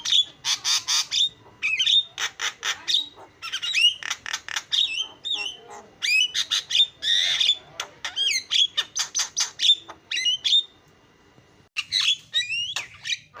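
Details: Javan myna (jalak kebo) singing a fast, lively song meant to get other mynas singing: long strings of harsh clicks, squawks and chirps interleaved with whistled upslurs, a brief gap near the end.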